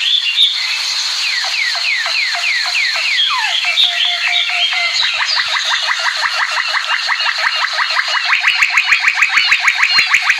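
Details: American Singer canary singing a long varied phrase: rapid series of downward-slurred notes, then a smoother stretch, ending in a fast, even, accelerating trill of repeated chips, with steady hiss behind.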